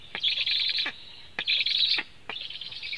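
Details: Food delivery at a Latvian black stork nest on 24 July 2015, recorded by a nest camera: three loud, rasping high chirp bursts, each roughly half a second long and ending with a sliding drop.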